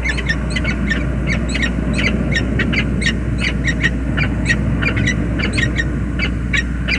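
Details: Peregrine falcon pair at their James River Bridge nest in February calling with rapid hoarse chatters in irregular runs, partly masked by strong low droning noise.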